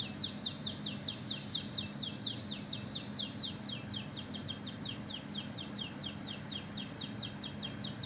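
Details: Oriental magpie-robin pouring out a long, canary-style stretch of rapid, sharply falling whistles, quickening to about five per second and barely pausing, with a low droning hum underneath.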